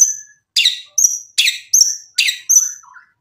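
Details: White-rumped shama giving a series of sharp, harsh downward-swept notes, about six in three seconds, each followed by a short high whistle, with a soft warble at the end.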